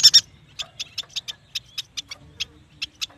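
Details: Yuhina, known as prenjak batu, singing. Two loud high chirps lead into an even series of short, softer ticking notes, about four per second.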